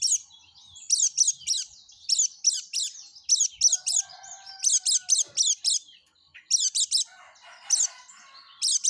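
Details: Yellow-breasted white-eye in energetic song, used to lure other white-eyes: groups of three to five sharp, very high chirps repeated in quick bursts, with soft twittering between groups.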